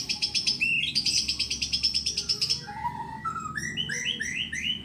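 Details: Caged murai, a white-rumped shama in Indonesia prepared for a singing contest, giving a rapid pulsing high chatter, then descending whistles and a quick series of short upslurred notes.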